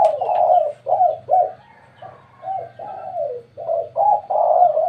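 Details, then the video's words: Spotted dove cooing around a house at midday: a series of warm, throaty coos, some drawn out and some clipped, rising and falling in loudness. A faint low hum lies underneath. "suara tekukur di siang hari ‼️ di rumah saya"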